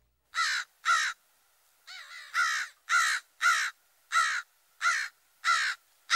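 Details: American Crow giving about nine harsh, hoarse caws, roughly two per second, with one softer gurgling note early on; a species found throughout the forest habitat.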